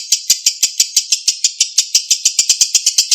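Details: Clear lovebird ngekek, a long chattering song used to stimulate silent lovebirds: sharp, high, scratchy notes in a rapid even series, about six per second, nothing else heard.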